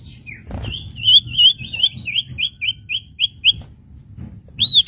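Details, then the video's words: Common iora song meant to train newly bought caged birds: a long chain of looping whistles that drops slightly in pitch midway, then one arched whistle at the end. "masteran burung cipoh bahan - masteran burung cipoh bakalan full variasi"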